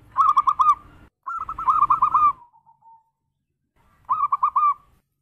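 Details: Local zebra dove singing its 'berayun' style, a swinging song used to lure other doves. Three bursts of rapid, bubbling coo notes, the middle one longer and ending in a drawn-out trailing coo, over faint low rumble.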